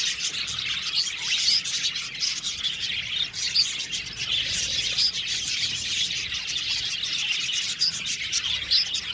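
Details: A flock of Australian budgerigars in an aviary colony chatters steadily with bright, warbling chirps and scratchy twitters.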